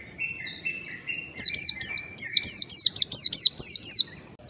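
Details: A mountain white-eye (ngalas) opening with softer level twittering, then breaking into a fast sequence of bright, piercing down-slurred whistles, about a dozen in quick succession.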